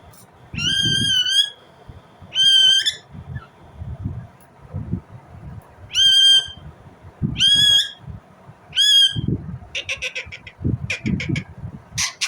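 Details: Indian ringneck parrot giving loud, harsh, ringing screeches. Each call is a short, flat, slightly nasal note, repeated in pairs or singly about every one and a half seconds. Low knocking and rustling sounds run underneath.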